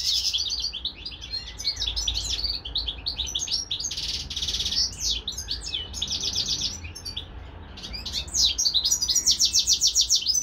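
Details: European goldfinch kept as a pet alongside a hybrid bird, singing a rapid jumble of chirps and trills, a dense buzzy burst midway, then a lively pulsed run at the end.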